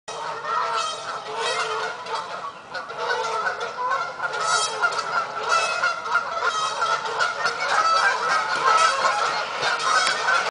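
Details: Canada geese in a large flock giving continuous, overlapping nasal honks, many birds calling at once in a dense, irregular chorus throughout.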